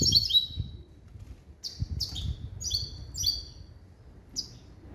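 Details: Hybrid of a male goldfinch and a female canary, caged and trained in limpio goldfinch calls, giving short, sharp, high descending call notes in scattered bursts, with soft low background rumble.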